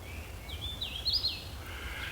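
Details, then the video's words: A warbler, believed to be a hooded warbler, calling unseen from dense understory at Jugtown Preserve, Hunterdon County. A clear whistled phrase of rising and slurred notes, quiet background. "I don't have it cited, but I believe the call to be that of the hooded warbler."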